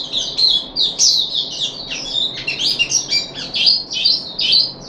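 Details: Puff-backed bulbul kept in a cage, on its third day of deworming in July 2021, gives a rapid run of high, bright twittering notes and short slurred whistles.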